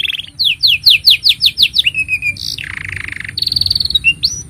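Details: Canary in full long song, used as a master recording for tutoring young canaries: rapid repeated downslurred whistles, then buzzy rattling trills and a sustained high trill, all delivered continuously.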